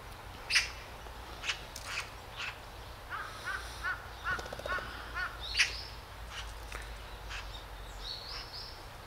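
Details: Great spotted woodpecker at Hanbam Village, Daeyul-ri, Bugye, Gunwi, North Gyeongsang, South Korea: sharp, short kik notes spaced about a second apart, some louder than others, with faint chirps of other birds and a low steady hum behind.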